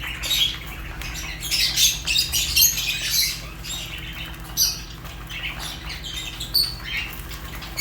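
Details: Fischer's lovebirds chattering together, a dense overlapping stream of shrill, squeaky chirps and squawks with no pause between calls.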